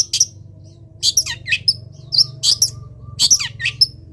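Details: Long-tailed shrike kept in a cage, singing in the morning sun after misting: harsh raspy squawks alternating with sharp whistled chips in rapid bursts, roughly every half second, over a faint low hum.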